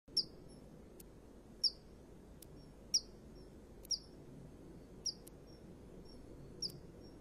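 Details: Female common kingfisher perched after bathing, begging from the male for a fish, 2 March 2015 around 13:29: short, sharp, high piercing whistles repeated roughly every second over quiet background hiss, with faint clicks.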